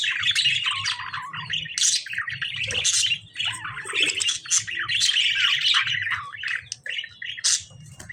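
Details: Lovebirds fighting with budgerigars: dense, harsh chattering squawks and shrill chirps tumble over one another almost without pause, with a few sharper high screeches standing out near the second and third seconds.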